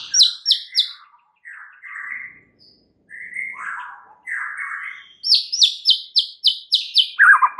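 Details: White-rumped shama lure song meant to make other shamas agitated: high sharp notes, then a series of husky buzzy mid-pitched phrases, closing with fast repeated bright chips and a falling trill.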